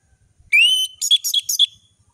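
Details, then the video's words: Orange-headed thrush delivering sharp ngeplong whistling: one long clear rising whistle followed by a quick cluster of four bright chattering notes, meant to be mimicked by juvenile birds learning their song. "Anis merah gacor ngeplong full variasi bagus untuk masteran burung anis merah trotol"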